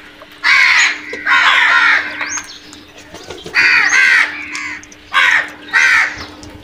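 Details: Harsh crow caws during a rush on food, paired and single drawn-out calls of about half a second, hoarse and strongly harmonic, separated by quieter stretches with a thin high whistle-like note in between.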